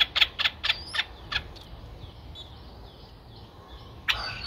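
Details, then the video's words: Streak-eared Bulbul chicks nine days old, in a nest at Ubon Ratchathani, Thailand, recorded 11 April 2023: a burst of six harsh, clipped chirps, then a long quiet pause before one more abrupt chirp. "นกปรอดสวน อายุ 9 วัน : Streak-eared Bulbul (Pycnonotus blanfordi)"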